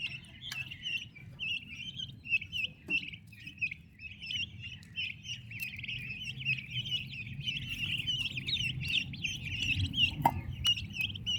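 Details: A group of turkey chicks beside their mother peeps continuously in a thin, high chatter. A low rumbling background and a few taps are heard.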